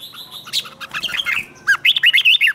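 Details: A red-whiskered bulbul sings competition-style song used to train and stimulate bulbuls: rapid, bubbly whistled phrases that warble up and down, ending in a burst of bright chattering notes.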